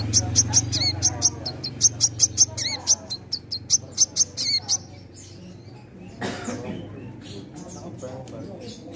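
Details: Crimson sunbird held in a bird collection, singing hard: a string of very high, clipped, metallic notes in fast uneven runs for about five seconds, then quieter noises and a low hum.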